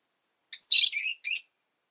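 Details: A single second of dense, scratchy chattering with a brief squeaky tail from caged rosy-faced lovebirds, one of five pets kept indoors near a window.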